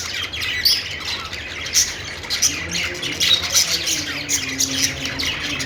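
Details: Budgies on a perch chattering happily, harsh squawky notes and rapid scratchy twitters repeated in quick bursts throughout.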